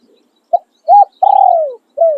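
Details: Spotted dove used as a decoy bird, crowing in the khan riak and khan yon styles: a short clipped coo, an arched coo, then a long drawn-out coo falling in pitch, and a final descending note, clean and without background noise.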